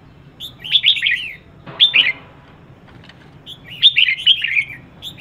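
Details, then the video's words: Female red-whiskered bulbul calling as a lure to stimulate males: two lively warbled bursts of tumbling notes separated by a short single phrase and a quiet gap; faint hum behind. "CHÀO MÀO MÁI HÓT SIÊU KÍCH TRỐNG"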